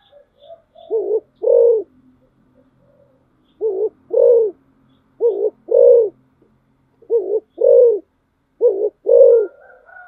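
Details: Decoy spotted dove cooing steadily, each phrase a brief broken coo then a longer rounded hoot, repeated about every 1.5 seconds across ten seconds, five phrases in all, with a few soft quieter notes between.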